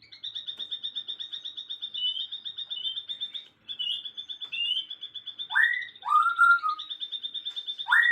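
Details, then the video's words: Afternoon birdsong: a continuous high, rapid trill with small wavering shifts in pitch, joined near the end by three loud, lower whistles that rise sharply and then level off. "kicauan sore hari relaxing Bird sounds"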